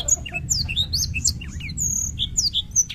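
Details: Short stretch of Black-throated canary 'gacor ngerol' song: fast, high chirps and whistled slurs tumbling together, one drawn-out thin whistle in the middle, over a constant low hum.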